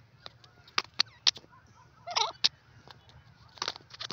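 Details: Teetar (francolin) calling in a forest: a series of sharp, harsh, clipped notes, some with a rasping buzzy burst near the middle, spaced irregularly about a second apart over a low background rumble.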